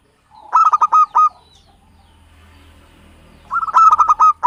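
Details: Local Javanese zebra dove song used as a lure for trapping birds: two bursts of quick, stuttered cooing notes, each ending on a longer held note, separated by a quiet gap.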